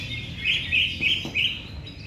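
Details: Greater green leafbird singing: short bright whistled phrases, slurred and warbling, given in four separate bursts over two seconds against a low background rumble.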